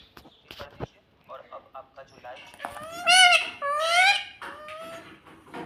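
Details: Pet parrot, a ringneck, talking indoors in a small room, saying "mummy": two loud, strongly harmonic syllables near the middle, one after the other, with quieter murmurs and clicks before them.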